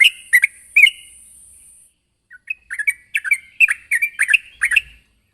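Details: Sooty-headed bulbul calling to a rival: a few loud chirps, a short silence, then a denser burst of rapid, slurred chirping notes.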